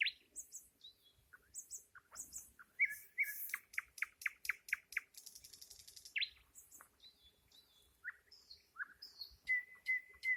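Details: Varied nightingale song over ten seconds: sharp piping notes building into a loud rhythmic series, a high buzzy rattle, then fluty whistles and a final sequence of clear repeated notes.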